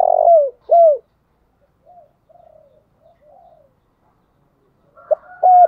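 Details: Decoy spotted dove cooing in the morning: a rough falling coo and a sharp hooked note, faint soft cooing in between, then clipped notes and a level hoot at the end.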